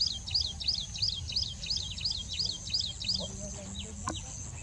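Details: Rufous-fronted prinia (Prinia buchanani), song.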